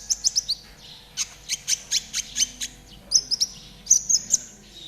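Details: Konin delivering trotol song, meant as a master recording for caged birds: quick bursts of piercing high chirps, then a steady series of evenly spaced sharp notes, and a final stuttering cluster.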